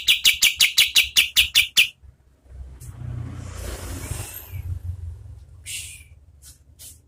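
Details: Oriental white-eye song used as tutor audio for competition birds: about two seconds of quick, sharp chip notes in steady rhythm, then a long stretch of low rumbling noise with a few faint chirps.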